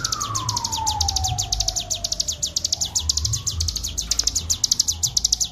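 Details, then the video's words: Bar-winged prinia, locally cigun, delivering an unbroken ngebren song for a training master: quick repeated high chirps in a steady stream, while a faint falling-then-rising tone and low background noise sit underneath. "masteran cigun ful ngebren gacor suara jernih"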